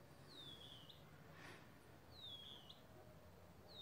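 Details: Band-winged nightjar (Caprimulgus longirostris) at Plottier Ecological Reserve, Argentina, giving thin, high, slightly falling whistles about every two seconds over soft background hiss.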